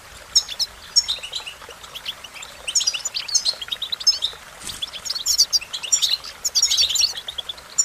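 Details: High, tinkling American goldfinch song that builds from scattered chirps into a dense, continuous twitter of rapid notes, against soft background hiss.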